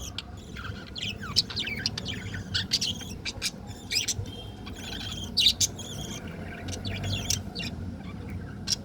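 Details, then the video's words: Several colorful budgerigars keep up a steady flock chatter of thin chirps, squeaks and quick down-slurred notes, fairly soft, over a constant low background rumble. "Colorful budgies sound 🐥🐦🥰|Chirping sound"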